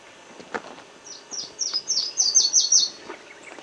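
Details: Booted racket-tail, subspecies discifer, uttering an accelerating run of high, sharp, downslurred chips, about eight in under two seconds, growing louder toward the end, with a few faint clicks before.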